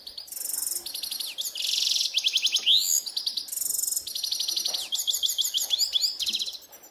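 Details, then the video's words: Grey-headed goldfinch song recorded in a ravine, a lively run of chattering trills, rasping buzzes and rising whistled notes delivered almost without a break. "Седоголовый щегол в яре"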